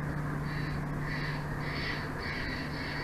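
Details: Bald eagle at a nest in Big Bear Valley, home to a bald eagle couple, recorded by a nature cam on 06/04/2024 at 22:36: a series of about five drawn-out, high, squealing notes, each roughly half a second apart, over steady low hum and wind.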